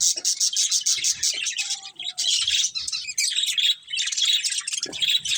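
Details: Budgerigars in a breeding colony with a breeding pair: dense, high chattering warble of overlapping chirps and rapid twitters. Pulses repeat in quick bursts, broken by a brief pause near the second second and a short low thump.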